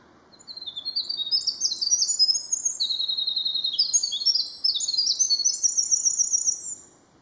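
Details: A Winter Wren sings at the edge of its territory very early in the morning, a long, very high, tumbling song of rapid trills and tinkling notes running about six seconds; Black-throated Blue Warbler and Swainson's Thrush faintly behind.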